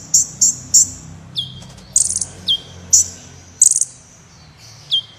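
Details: Sunbird known locally as kolibri wulung, a lively prize-winning singer, recorded to tutor contest birds: bright clipped high notes, short rattling bursts and falling slurs, with a faint low hum behind.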